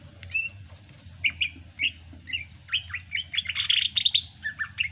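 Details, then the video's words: Sumatran greater green leafbird singing during the rainy season: quick chips and short whistles building into a busy, rapid, slightly harsh chatter of overlapping notes, with a low background hum. "MUSIM HUJAN CUCAK HIJAU SUMATRA MASIH BISA GACOR"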